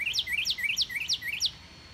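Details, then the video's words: A Northern Cardinal in a backyard on 29 March 2019 sings five clear, bright whistled notes in quick succession, each slurring upward, about three per second, over a quiet background. "Cardinal Sings"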